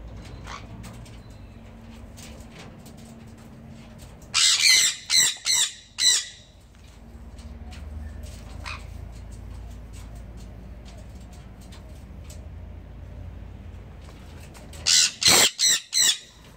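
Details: Breeding pair of Sun conures giving loud, harsh screeching calls in two bursts of four or five shrieks.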